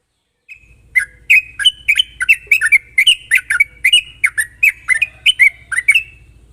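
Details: Sooty-headed bulbul in sharp rapid chattering lure song for prompting untrained birds: after a lone opening note, a steady stream of bright slurred chirps over a faint low hum.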